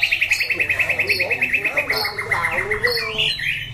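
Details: White-rumped shama recorded in Dak Lak, Vietnam, September 2015, sings a fast run of clipped identical notes, about six each second, then breaks into varied whistled phrases with a rising flourish at the end.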